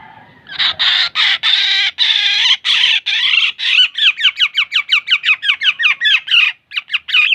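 Black-naped oriole gives a few long, harsh nasal squawks, then a fast run of about twenty short, downslurred scratchy notes, several per second.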